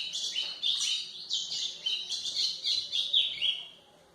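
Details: White-throated seedeater singing, a recording meant to train young birds: rapid, loud, high twittering with buzzy rolls and bright chirps, repeated in quick bursts before tapering off.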